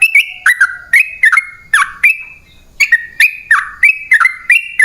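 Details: Sooty-headed bulbul song for luring wild birds: crisp downward-stepping whistled couplets come in quick bursts, with a brief pause in the middle before the rapid repetition resumes.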